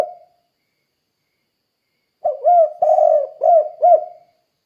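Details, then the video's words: Spotted dove in full voice, used as a lure to make other doves call: after a silence, one low cooing phrase of two smooth notes, a longer rasping coo and two short ending coos. "Suara Burung Tekukur Gacor Kuk 2 Untuk Pancingan Derkuku Biar Cepat Bunyi"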